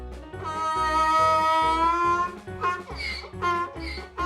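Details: Plucked guitar music plays with sustained melodic tones and short rhythmic strums, with no animal sound present.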